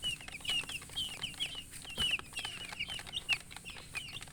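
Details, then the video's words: Just-born chicken chicks chirping: thin, high peeps, mostly falling notes given in quick irregular succession, with soft background clatter and rustling. "chicks chirping sounds Just Born Baby"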